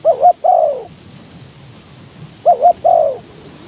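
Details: Spotted dove kept as a decoy to attract wild doves, strong wind blowing; two phrases about two and a half seconds apart, each a paired short coo and a longer falling coo.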